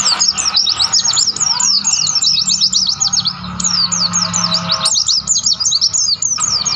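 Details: Mountain white-eye singing in the wild on Mount Lawu, Tawangmangu, in mountain nature. A lively, sustained high twitter of quick slurred notes, rising and falling. It runs almost without a break, with a low hum beneath.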